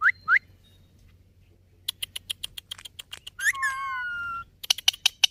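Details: Talking ringneck parakeet producing two rising whistle notes, a long string of tapping clicks, a drawn-out falling whistle, and a final burst of rapid clicks.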